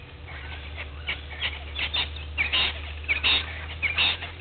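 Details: Blacksmith lapwing at Gowrie dam waterhole, Djuma Game Reserve, Sabi Sand Wildtuin, South Africa, at 06:45 on 03/02/21: sharp, bright metallic notes in irregular bursts, roughly one or two per second, over a steady low hum.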